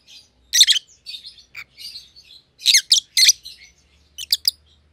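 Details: Pet rosy-faced lovebirds of white-headed pallid and green opaline mutations giving clusters of loud shrill chirps between quieter twittering notes, a low hum faintly underneath.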